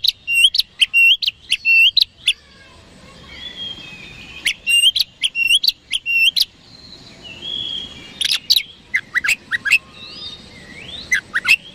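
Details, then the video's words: Song of an oriental magpie-robin, used to provoke rivals into quick response: rapid bursts of sharp, repeated whistled notes in fast series, separated by softer drawn-out warbling, then scattered chirps and rising whistles. "PANCINGAN KACER HARIAN 🔥 Super GACOR Ampuh Bikin Lawan Cepat Respon"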